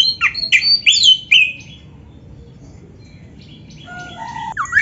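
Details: Oriental magpie-robin (kacer) song meant to get other magpie-robins singing: a quick run of sweet, downslurred whistles in the first second, then quiet, ending with softer rising and falling whistled notes.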